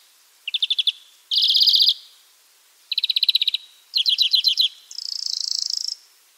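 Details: Free wild European greenfinch giving a sequence of five short trilled phrases, each about half a second to a second, the last a higher, wheezy drawn-out buzz; background otherwise silent.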